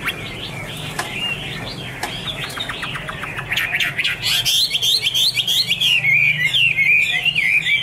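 A Chinese hwamei sings loud, varied whistled phrases that grow richer and faster after a few quiet notes, sliding and warbling at high pitch over a faint low hum.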